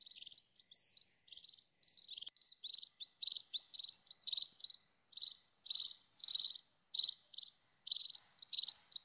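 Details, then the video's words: Wild scaly-breasted munia, recorded as a lure call to attract munias and finches: rapid series of high, buzzy chirps, some quick upslurred notes, repeated about twice a second against light insect-like hiss. "SUARA BURUNG PEKING LIAR"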